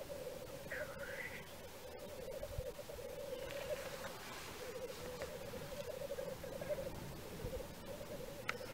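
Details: Black grouse at a lek in Wales in March 2013 give a steady, low, dovelike bubbling that rolls on without pause, with an occasional harsh hissing sneeze cutting through.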